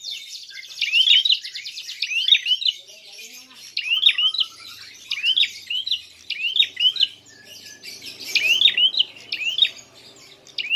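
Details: Prinia calling in a fighting display, used as a lure to provoke rivals: sharp, high, twanging chirps repeated roughly every second, mixed with rapid buzzy trills.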